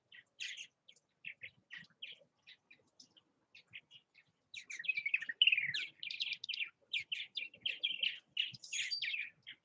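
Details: Purple martins at bird houses in Southwest Missouri chatter in gurgling, croaking notes, sparse at first, then a busy overlapping jumble as several birds call together.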